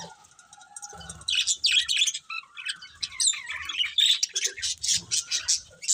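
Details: Budgies start quietly, then break into loud bright chirps and rapid warbling bursts, with pulsed tweets repeated toward the end.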